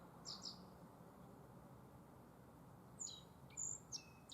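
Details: Black-faced bunting singing in spring at Tenjinyama green space, Sapporo, Hokkaido, Japan: two high chirps open, then after a quiet gap a quick burst of high, sharp notes and a short trill, with steady low background hum.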